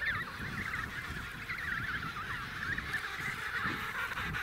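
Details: Emperor penguins at the Snow Hill colony fill the air with overlapping warbled, wavering trumpet calls over a low rumble of wind.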